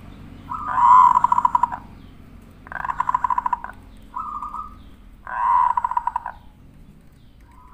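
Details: Local zebra dove song used as a lure to provoke a reply: three bursts of rapid, rolling, pulsed cooing, each about a second long, with a shorter soft coo between them, over a low background hum.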